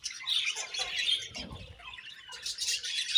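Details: Budgies heard chirping in a flock, a steady stream of high, scratchy warbles and quick twitters overlapping, with a faint low rumble partway through.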